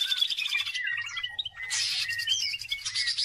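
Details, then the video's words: Short burst of greater green leafbird song, used as a lure for other birds: chattering trilled notes, a few whistled slurs and a loud harsh buzzy rattle. "CUCAK IJO GACOR || COCOK BUAT PANCINGAN"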